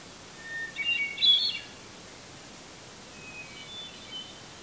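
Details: A hermit thrush sings in a red pine in Eustis, Maine, at 8:12 PM just before sunset on July 18, 2020. It gives a fluting phrase that opens steady and spirals upward, then a fainter, higher phrase two seconds later, over soft hiss.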